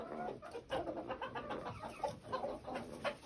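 A pheasant-chicken hybrid rooster gives a run of short, hoarse, mid-pitched clucking notes, about three a second, in a small, quiet room.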